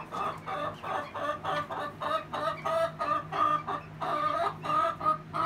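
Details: Rhode Island Red and Golden Comet hens giving the egg song: a steady run of loud, harsh clucks repeated about one and a half per second, each a short strained burst, with a faint constant hum underneath.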